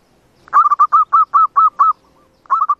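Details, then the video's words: Zebra dove song meant to lure doves into traps: a brisk row of hooked cooing notes, a brief pause, then another rapid burst of the same notes in a quiet setting. "Suara Untuk Mikat Perkutut"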